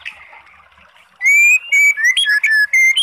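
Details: Oriental magpie-robin song to provoke a quiet bird into answering: after a soft start, clear sustained whistles and short slurred notes in quick succession.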